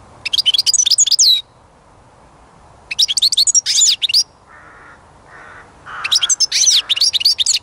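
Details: European goldfinch delivering three bursts of rapid, sparkling high twitters, with a few soft lower chirps between the later phrases.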